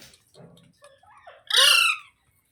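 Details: Pet talking parrot: soft low mutterings and chatter, then one loud, harsh, rasping squawk of about half a second.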